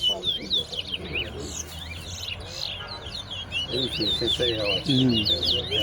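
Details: Two chestnut-bellied seed finches (towa towa) compete in a whistling competition at the Tuschen bird ground in Guyana, singing rapid, high twittering whistled phrases back and forth while people talk and count notes in the background.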